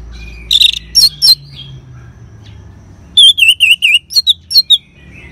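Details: Orange-headed thrush in ngeban song style, a lure for caged birds to sing: two short bursts of loud, clear whistled notes, first a rapid cluster, then about eight wavy slurred whistles repeated quickly.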